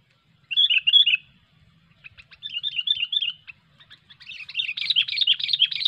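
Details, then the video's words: 'Cengkram over fighter' style singing from a sooty-headed bulbul during bird luring: a short burst of three looping chirps, a quieter repeat of the phrase, then a sustained fast chattering run of bright notes. "Burung Kutilang Cengkram over fighter"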